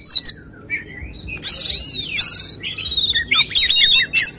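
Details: Oriental magpie-robin, called kacer, giving the 'tembakan' (shooting) song style sought by judges at a songbird contest: high whistled notes, then loud harsh buzzy bursts and arching slurred phrases, with brief pauses between.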